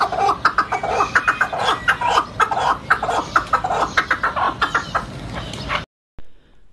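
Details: Two partridges calling side by side: loud, harsh chuckling notes repeated rapidly, roughly three to four per second in an uneven rhythm, continuing for nearly six seconds before an abrupt cut to silence.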